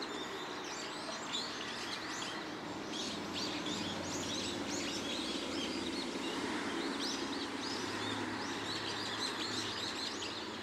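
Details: On 29 March, a large flock of brown-eared bulbuls in the woods of an ecological garden keeps up a loud, overlapping din of shrill, squealing calls, several each second, over a steady hiss; the observer wonders if they sense an earthquake precursor.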